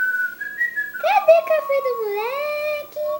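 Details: Pet cockatiel that talks a lot, producing a speech-like run of whistled, harmonic syllables that sweep up and down in pitch, with a wavering mid-pitched tone running under the higher notes for about three seconds.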